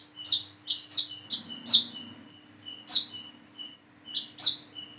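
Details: Plain-throated sunbird practising its calls: a run of sharp, high, slurred chirps at irregular intervals, each trailing into a thin level whistle, over a faint steady hum.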